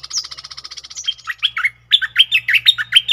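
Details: Cream-vented bulbul double song, 18 June 2021: a stuttering pulsed series slides into lively looping whistled notes, then a second run of choppy slurred phrases over a faint low hum.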